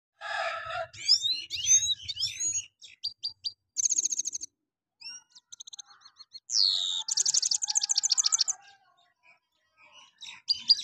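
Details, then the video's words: A Himalayan goldfinch in Parachinar, 2022, sings a fast, high, tinkling medley of liquid twitters, buzzy trills and sharp chips, broken by short pauses. "Himalayan gold Finch Mast Singing"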